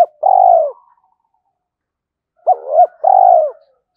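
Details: Spotted dove kept as a decoy, cooing to provoke and call wild males during daily decoy training; a single smooth low coo, a pause, then a quick wavering double note followed by another drawn-out, slightly falling coo, in a quiet setting.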